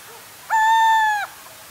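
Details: Little Owl calling at night gives one clear, drawn-out hoot lasting under a second, held at a steady mid pitch and dipping slightly at the end, against a quiet background.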